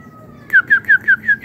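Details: Aviary-kept white-rumped shama: a faint thin whistle, then five strong downslurred whistles repeated about every fifth of a second; steady low background rumble.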